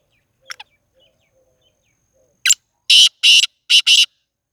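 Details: Black francolin from Sindh, Pakistan giving faint scratchy notes before a loud harsh phrase: a single rasp followed by two pairs of grating bursts in quick rhythm.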